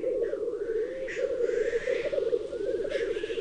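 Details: Male black grouse displaying at a spring fight for mating rights in Highland Perthshire, April 2018, keep up a steady, low, bubbling rookoo chorus, broken by a couple of hoarse, hissing sneezes.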